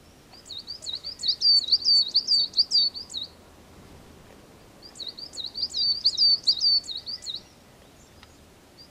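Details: Coal tit singing: two bursts of high, thin, rapidly repeated two-note phrases, each burst lasting about three seconds with a pause between, over quiet background.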